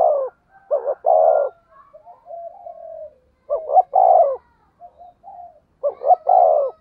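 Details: A spotted dove coos in the 'thổ sấm' thunder voice style, used as a lure to excite other doves. It gives three deep, rolling coo phrases, each opening with quick stuttered notes before a long throaty ending. Soft whistles sound between them.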